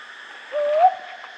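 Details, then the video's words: A brown hawk owl calling at night gives a single soft, mellow hoot that rises slightly in pitch over about half a second, against a steady background hiss of night insects. "কাল পেঁচার ডাক | Brown Hawk Owl Horror Sound at Night | Hawk Owl Call"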